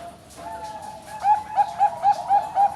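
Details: Captive Bangkok-type zebra dove hatched 12 April 2025, kept at a bird farm in Kediri, East Java, Indonesia; low soft cooing gives way to five short, clear, mellow coos at one steady pitch, about a quarter second apart.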